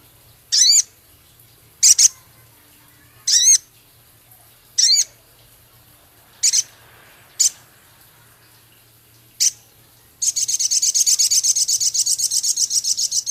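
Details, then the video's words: A male Javan cochoa singing vigorously, with scarlet minivet-style phrases, ketikan and rough crecet. Seven high, looping whistled notes come one to two seconds apart, then a long, fast, buzzy trill of rapidly repeated high notes. "Masteran Burung Sogon Jantan gacor isian full Sepah raja ketikan crecet kasar"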